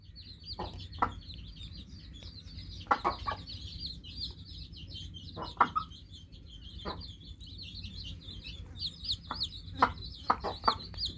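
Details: Dense overlapping chirps from a group of newly hatched chicks form an unbroken high twittering, punctuated by sharp clicks and knocks at irregular moments.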